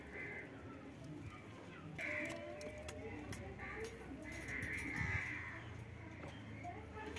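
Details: Pet rose-ringed parakeet being bathed, giving a series of harsh, scratchy mid-pitched calls in short bursts roughly every second, over a steady low rumbling background.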